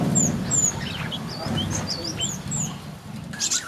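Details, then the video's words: White-eye (pleci buxtomi) in a mini aviary on Friday, 1 November 2024, described as always singing actively: thin, high chirps and short whistled slurs, some rising and some falling, come in quick succession over a low, steady rumbling background. "Burung Pleci Buxtomi yang Selalu Gacor"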